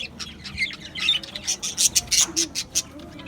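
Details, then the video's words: Budgerigars in an aviary colony, recorded 11 July 2025: scratchy warbling turns into a quick series of about eight loud, sharp chirps spaced roughly a quarter second apart. "Budgies Chirping sounds"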